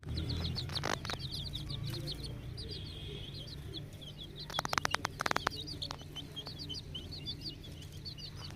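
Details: Young naked neck chicks, ten days old, in a poultry farm cheep busily with rapid high chirps. A burst of sharp clattering knocks breaks in halfway, all over a low background hum.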